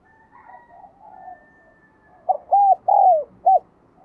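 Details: A decoy spotted dove calls to lure wild doves. Faint, drawn-out low coos come first. Then one loud phrase: a short note, two arched hollow coos and a clipped final note.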